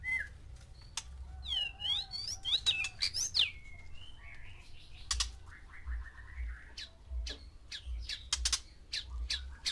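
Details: White-rumped shama from a breeding pen of one male and six females, song to stir mating: sweeping whistled notes and quick rolling trills, followed by scattered sharp clicks.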